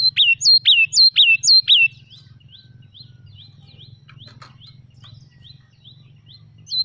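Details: Wild red-whiskered bulbul singing: a loud burst of four quick, bright whistled notes, each sliding down then levelling, about two seconds long, followed by fainter, more distant echoing phrases and a low steady hum underneath.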